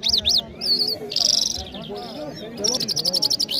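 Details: Mashhadi jal, an Iranian songbird, singing in Kabul, Afghanistan: sharp zigzag whistles, then a dense buzzy trill, then fast repeated high chirps in rapid succession over a low background hum.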